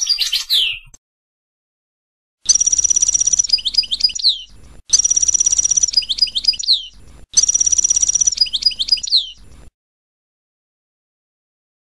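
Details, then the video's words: European goldfinch song note played as a named example: a short falling twitter, then three repeats of a long buzzy ringing note ending in rapid descending chirps, about every 2.5 seconds. "أسماء بعض النوطات الخاصة بالحسون"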